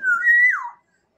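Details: Black-naped oriole (golden oriole) from Sumbawa giving one rich, fluty whistle that holds steady, then slurs downward, lasting under a second, with nothing else heard.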